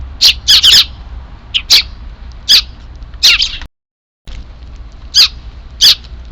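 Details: Sparrow chicks heard calling on 3 April 2024 ahead of an evening feeding; sharp high chirps in bursts, some doubled, spaced irregularly across the recording with a brief silent gap.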